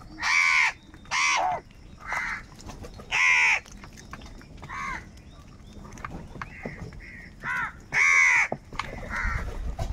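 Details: Crows described as angry and calling for food give a quick string of four harsh caws, then quieter scattered calls, and two more loud caws near the end.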